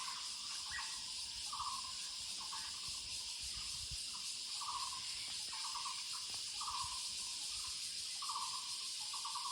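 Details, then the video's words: Muller's barbet calling in the woods: short, low, pulsed trill-like bursts, evenly repeated about every second, under a steady loud high-pitched insect drone. "Sounds of Muller's Barbet /五色鳥 in the woods"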